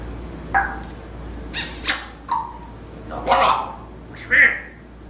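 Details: Caged African grey parrot indoors that speaks sentences and part of Surat al-Ikhlas: a series of separate short squawky, speech-like syllables, about one per second, some harsh and broadband, others tonal with a rising pitch.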